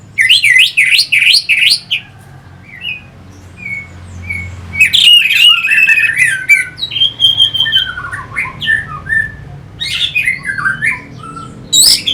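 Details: Orange-headed thrush song used to spur fighting birds, a busy medley of squeaky whistles and chattering phrases in bursts, pausing briefly near four seconds before resuming, over a low background hum.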